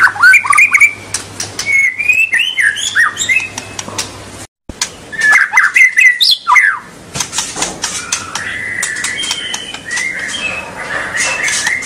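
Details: White-rumped shama song intended to get young birds singing. Bursts of tumbling whistles and harsh clicks break off in a brief silence, then resume more softly with drawn-out whistled phrases.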